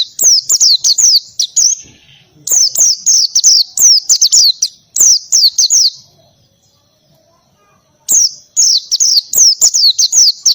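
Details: Oriental white-eye singing in the ngalas style with canary-like bursts: loud runs of sharp, high descending chirps, about six per burst, delivered in rapid phrases separated by brief pauses and one longer silence.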